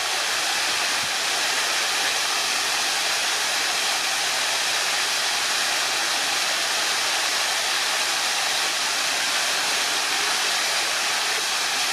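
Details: Steady rushing water, like a fountain or waterfall, fills the whole stretch with no animal voices standing out.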